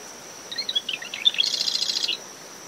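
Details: Marsh wren singing near its nest in dune shrubs at SMNWR, early morning after tropical depression Claudette: sparse sharp chips, then a dense buzzy rattle near the end, against wind, waves and cricket drone.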